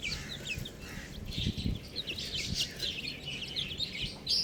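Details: Baby chickens giving a steady stream of shrill, brief chirps, several birds calling at once, accompanied by soft low thumps and scratching.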